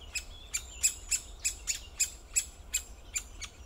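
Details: Sharp, short, high-pitched 'kik' calls from a great spotted woodpecker, repeated roughly three times a second with slightly irregular spacing, above a faint low hum.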